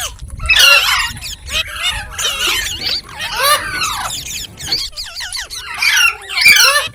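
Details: Rose-ringed parakeet talking and singing: clustered bursts of high, scratchy chatter and curling whistles, separated by short quiet gaps, with a sparser stretch of looping notes toward the end.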